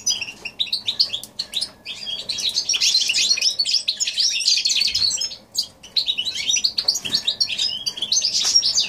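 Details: January 2016 recording of a goldfinch crossed with a canary, giving a lively high warbling song of rapid twitters and trills in long bursts, with a short pause near the middle and faint clicks.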